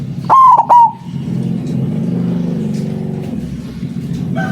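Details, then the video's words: A white zebra dove lure recording opens with one loud burst of three full coos. A steady low engine-like drone runs underneath throughout. "Perkutut putih suara besar sangat ampuh buat pancingan, malas bunyi langsung nyaut"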